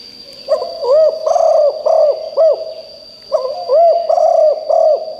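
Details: Decoy spotted dove calling to draw in wild birds: two bouts of low, rounded coos, each a quick run of four or five arched notes, with a constant faint high whine in the background.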